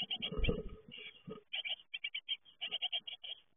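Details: Great tit fledglings at the moment of leaving the nest. Rapid, high, scratchy chirps repeat in quick bursts, mostly in the second half. Dull knocks and rustling from movement fill the start.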